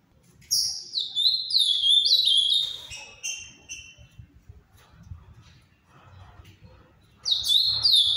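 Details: Ultramarine grosbeak giving its Paraná-style song: a rapid string of sweet down-slurred whistles for about two seconds, a long quiet gap with faint low noises, then a new phrase begins with the same bright notes.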